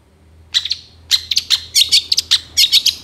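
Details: Long-tailed shrike in a master recording for training songbirds: short bright chirps in bursts of two to four, separated by brief pauses, over a faint low hum.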